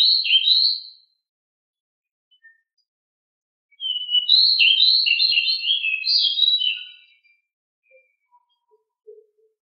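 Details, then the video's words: Home-kept pied bushchat (decu), offered as master training song. A short whistled burst is followed by a long run of quick, tumbling chirpy notes, then silence with faint ticks. "decu rumahan gimana gak langsung gacor dengan masteran super ini"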